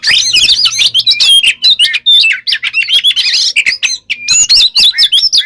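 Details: Kacer, or Oriental magpie-robin, in 'konslet' song, described as alternating 'nembak' shots and 'ngerol' rolls without pause to rile rival birds: a dense, unbroken torrent of bright whistles, sharp slurred notes and buzzy trills.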